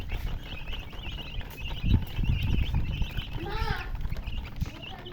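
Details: Baby chicks chirp in quick high peeps while low thuds and handling noise sound early on, then a louder, descending, harmonic call cuts in briefly near the end.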